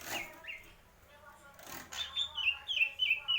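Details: Greater green leafbird: after a soft start with a couple of brief notes, bright high whistles run together into a rapid, wavering trill in the second half.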